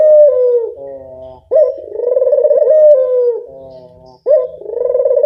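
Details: Lure call of a local turtle dove, deep throaty coos that fall gently, a quieter tonal stretch between phrases, then a sharp upward onset leading into a vibrating, purring coo.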